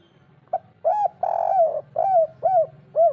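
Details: Spotted dove kuk 3 call, meant to get lazy birds calling right away. A soft opening note and two arched coos lead into a long sliding coo, then three clear arched coos, over a steady low hum.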